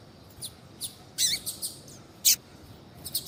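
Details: Female double-collared seedeater calling to stimulate a male to sing; scattered short, very high chirps and sharp clicks, some slightly downslurred, irregularly spaced over a quiet background hiss.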